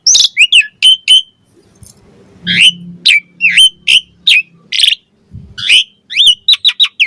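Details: Asian pied starling (jalak suren) song meant to prompt other starlings to reply and sing: rapid series of sharp whistled and scratchy notes, clustered in bursts, over a faint low hum.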